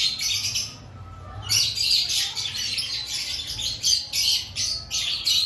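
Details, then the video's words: A group of lovebirds, active before the breeding season. Rapid, high-pitched chattering squawks repeat quickly in short pulses after a brief lull at the start, over a faint low hum. "Before breeding season Check your love Bird activity"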